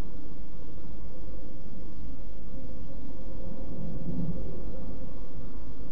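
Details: Only a deep, continuous low rumble and muffled background noise are heard, with no animal sound.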